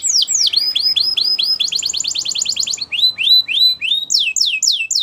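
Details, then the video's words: Belgian canary singing for training purposes, a varied high song of falling whistles, a rapid buzzy trill of evenly repeated notes, then slower rising slurs and quick descending phrases, clean with no other sounds. "Belgian Canary Singing Training !! Canary Bird Sounds"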